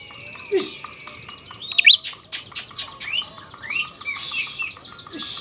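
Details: Energetic oriental magpie-robin song for stirring other kacer birds into aggression: dense mix of scratchy buzzes, short rising whistles and quick chattering notes, with a few loud sharp high squeaks near the middle.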